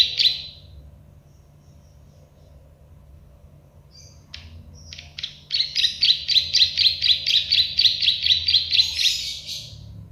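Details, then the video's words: Plain prinia (prenjak sawah, klik-klik) on a tutor recording for caged songbirds: an opening buzz, a lull, then an even series of rapid, dry clicking notes, roughly four per second, for about four seconds. "Masteran burung prenjak sawah klik-klik"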